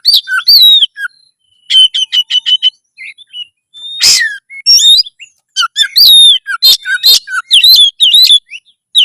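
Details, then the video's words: Loud caged common iora song meant to raise breeding drive and fighting spirit: rapid chattering notes, repeated whistled slurs and buzzy bursts in quick succession, with brief gaps between phrases. "kacer gacor suara lantang menaikan birahi burung kacet ON tarung"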